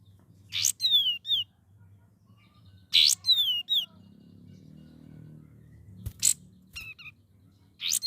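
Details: Young sooty-headed bulbul learning to sing, with varied song: loud harsh buzzy bursts, each followed by short whistled notes that slide down, in three phrases about two to three seconds apart; faint low hum underneath.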